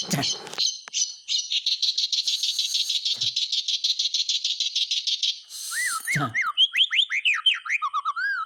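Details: White-rumped shama song to encourage silent shamas to sing: an extended buzzy, rapid rattle, a harsh burst, then a series of rich, looping slurred whistles rising and falling.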